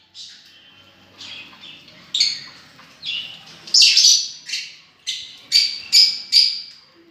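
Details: Lovebirds chirping busily, short harsh squeaks growing louder and denser, ending in a string of piercing calls.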